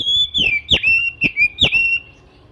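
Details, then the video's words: Oriental magpie-robin singing in the morning, a song said to prompt other magpie-robins to start singing; loud, high sustained whistles broken by sharp clicking accents roughly every half second, sliding slightly downward between accents. "kicau kacer dipagi hari mampu merangsang kacer lain ikut bunyi"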